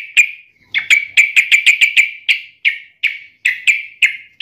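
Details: Yellow-vented bulbul taunting a rival: a series of sharp, clipped notes with a clicking attack, repeated several times a second, at first quickly and then more spaced out.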